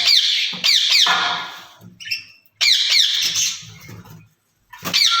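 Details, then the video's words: Caged rose-ringed parakeets, a pair talking to each other, said to speak Urdu and Hindi; loud, harsh bursts of rapid screeching strokes separated by short pauses, with some indoor background rumble. "Speaking Parrots in Cage"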